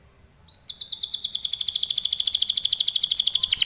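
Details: A canary in full gacor song, a long song with one short note leading into an extended, very fast rolling trill that grows steadily louder.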